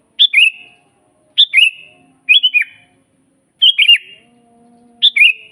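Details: Natural song of a lively sooty-headed bulbul, used to teach caged kutilang and call in wild ones: five short, liquid, chuckling whistled phrases about a second apart, one with a sharply dropping final note.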